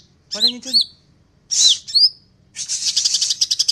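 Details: Greater green leafbird (cucak ijo) singing: loud slurred whistles that swoop down and up, followed by a fast high rattling trill of rapidly repeated notes.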